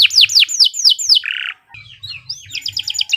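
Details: Canary master song for training other birds: five loud descending whistles, a low buzzy burst, short pause, then soft twitters and a quick stacked trill.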